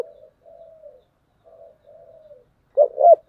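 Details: Spotted dove of the 'giọng thổ' voice, fighting call: a run of soft, low murmured coos in pairs, then a loud two-note rising burst opening the main coo phrase.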